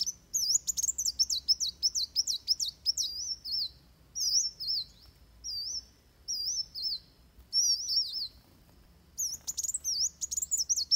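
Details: Van Hasselt's sunbird fighting song used for training birds: rapid high thin chirps and wavy whistled trills, bursts of fast notes broken by short pauses, then quick chatter resuming near the end.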